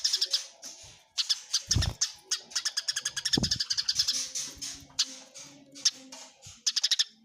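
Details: Fighting Eurasian tree sparrows, clearly recorded. Strings of fast, rasping chirps come in bursts separated by short pauses, with two dull low thumps mid-way and chirping continuing to the end.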